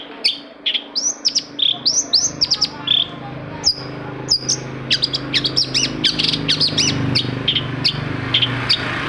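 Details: Long-tailed shrike song used to provoke reluctant shrikes into singing: quick rising whistled notes and scratchy chips, growing denser in the second half over a steady low hum.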